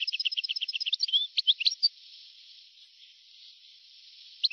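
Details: European goldfinch in an old recording from 1982–1990. A fast even series of repeated chirps, roughly three per second, breaks into a short twittering flourish, then hiss-filled quiet.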